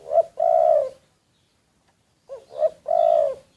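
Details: Decoy spotted dove recorded on the sly. A long, soft coo ends one phrase, then after a pause comes a new phrase of quick short hoots leading into a drawn-out mellow coo.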